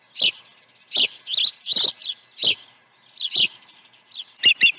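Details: Osprey at its nest on Dunrovin Ranch, morning feeding, 1 June 2019: harsh, high clipped chirps about once a second, some notes slightly wavering, ending in three quick sharp ticks.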